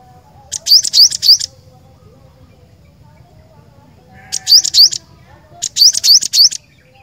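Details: Cinereous tit song kept as a strong, persistent singer: short bursts of three to four high, rising two-part notes delivered quickly, separated by pauses of several seconds over a quiet low hum.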